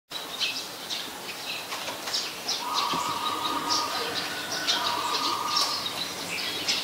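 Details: Brown-throated sunbird (Anthreptes malacensis) recorded on 13 January 2021 in Ubon Ratchathani, Thailand, giving thin, high chips in quick, uneven bursts over a steady mid-pitched hum that comes and goes.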